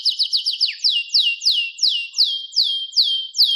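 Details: Canary repeating a bright downward-slurred whistle, rapid at first and then steadier at roughly three notes per second.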